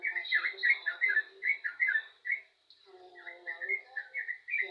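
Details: Energetic yellow-vented bulbul song of rapid liquid, slurred notes in a flowing chatter, briefly interrupted, then resuming with softer bubbling phrases, accompanied by a faint steady high hum.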